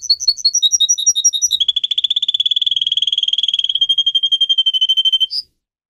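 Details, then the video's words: Singing pet canary: a slower run of paired high whistled notes, then a long fast even trill of repeated notes lasting several seconds, closing with a brief higher note before silence. "Canary song video - type of song"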